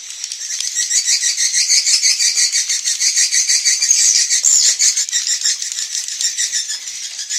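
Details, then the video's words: Swiftlets calling as an evening roosting lure: a steady, rhythmic chorus of high chirping twitters pulsing about three times a second, with an occasional brief whistle. "SUARA BURUNG WALET - INAP SENJA"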